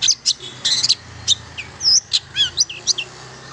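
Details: Long-tailed shrike, song aimed at stimulating silent shrikes: scattered high chips, a rising whistle and a few falling slurred notes, loosely spaced over a faint low hum.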